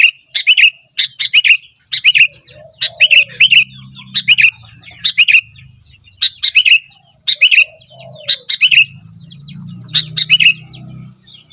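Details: Sooty-headed bulbul singing continuously: bubbly three- or four-note phrases of liquid, upturned chirps repeated about once a second over eleven seconds, with faint low soft notes and a quiet low rumble in the background.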